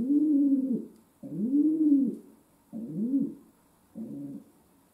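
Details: Low rounded coos from a pet domestic pigeon kept indoors, four drawn-out phrases that rise and fall, spaced by short pauses, the last one softer, over a faint electrical hum.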